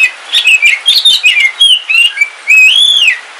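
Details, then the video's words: Home-kept Kalimantan oriental magpie-robin, called kacer wulung, delivers continuous rich whistled song during rain: quick slurred phrases ending in a long, arching pure whistle. "Suara Kicauan Ketika Hujan - KACER WULUNG KALIMANTAN"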